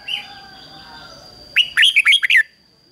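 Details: Caged red-whiskered bulbul used as a decoy, singing to lure wild birds: a loud burst of rich, slurred whistled notes rising and falling, about five quick phrases in under a second after a brief faint chirp, with a steady high electrical whine.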